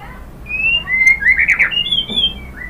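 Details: White-rumped shama song, used to prompt other birds to sing: soft, clear drawn whistles at different pitches, with a brief burst of tangled warbling notes in the middle.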